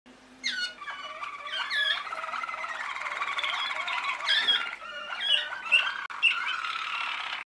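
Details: A male Waterslager canary sings a near-continuous run of rolling, bubbling tours and mellow sustained notes, shifting between low gurgles and brighter trills for several seconds.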